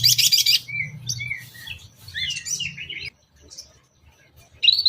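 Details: Long-tailed shrike lure song meant to provoke other shrikes, a 'toet toet' style joined with varied imitated phrases: a loud burst of high chirps, then short clear whistles and scratchy notes, a pause, and a final sharp chirp.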